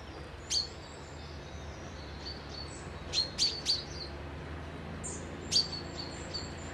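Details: High, bright chirping notes from wild birds at a peaceful lochside spot near Dundee, Scotland, in a quick cluster of three after one opening note, then a single chirp, over soft steady background noise.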